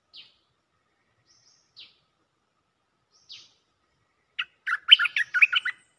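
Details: Mating call of a Cream-vented bulbul seeking a mate: three spaced, thin descending notes, then a loud burst of bubbly, chattering warbled phrases.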